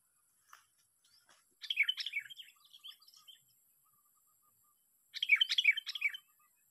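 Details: Sooty-headed bulbul recorded during bird trapping: two quiet bursts of bubbly, chirping notes about three seconds apart, with thin, faint twitters between them.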